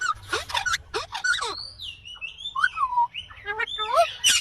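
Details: Indian green ringneck parrot in its natural voice, giving harsh squawks followed by a mix of gliding whistled notes, some rising and some falling, in an irregular sequence.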